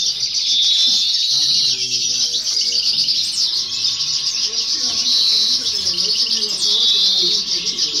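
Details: A first-year (novella) European goldfinch sings during a song competition in 2018/2019: a continuous, high, liquid twittering with tinkling trills and buzzy notes, faint human voices low in the background.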